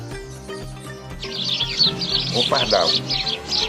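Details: Blue tit, a small bird 10–12 cm long, widespread and common across Europe, giving a rapid run of thin, high chirps and twittering notes, about three per second, over background music, after a man's voice in the first second.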